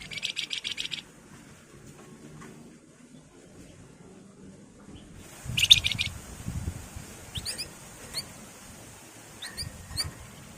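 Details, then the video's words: Javan fulvetta (wergan jawa), whose song styles are named nyiul, nyuling and ngebren: an opening burst of quick, high chattering notes, then a second brief burst followed by scattered thin, sharp chirps and low background rumble. "BURUNG WERGAN JAWA GACOR Nyiul, nyuling, Ngebren"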